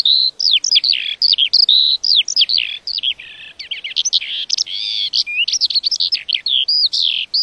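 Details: Lark singing a rapid, almost unbroken stream of high, varied chirps, slurred whistles and trills, with a lower buzzy stretch midway; quiet background.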